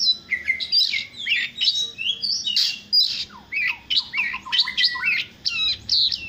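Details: Oriental magpie-robin (Copsychus saularis) singing in the morning: a rapid run of varied whistles, slurred notes and sharp chirps, rising and falling, with a faint low hum underneath.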